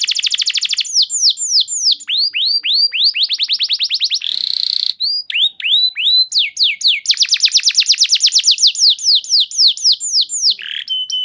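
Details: Lure song from a canary, used as therapy so other canaries quickly sing loudly and at length: long unbroken run of fast trills and repeated swept whistles, one brief buzzy nasal phrase midway, then a very rapid rattling trill.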